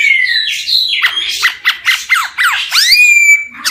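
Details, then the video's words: Male laughingthrush singing; rich, varied whistled phrases with sweeping downslurred notes in quick succession, ending in a long, steady, clear high whistle. "Khướu trống hót hay nhất"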